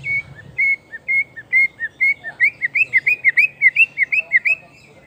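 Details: White-rumped shama, a recently moulted bird used as a lure singer, singing a fast series of clear whistled notes, steady flat whistles at first, then quicker rising and falling slurred phrases repeated several times a second.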